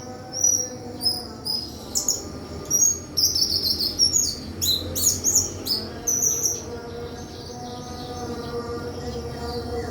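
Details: White-throated flycatcher giving thin, rising whistles and clustered sharp chirps, busiest in the middle, then trailing into quieter background hum near the end.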